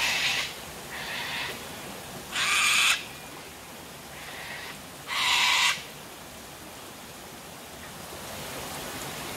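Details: Cockatoos drinking at sunset at Tanninaba Falls, Springbrook, 19 May 2024: loud grating screeches, two strong ones and several fainter, spaced a few seconds apart above constant waterfall roar.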